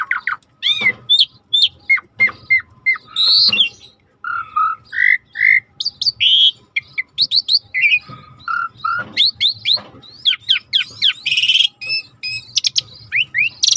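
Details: Vigorous suret starling song used as a master recording: a long, varied stream of whistled slurs, chirps, clipped low notes and buzzy bursts, with almost no pauses.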